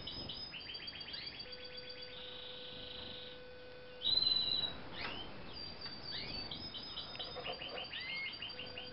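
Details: Eurasian siskin × canary hybrid singing, 2013: rapid repeated trills and buzzy phrases, a loud sustained high whistled note midway, then more chirping, twittering trills; a steady low electrical hum runs underneath part of the recording.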